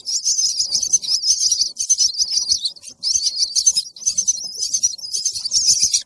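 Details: Baby bird asking for food, giving continuous high, trilling, wavering chirps in runs of about one second with tiny breaks, otherwise quiet.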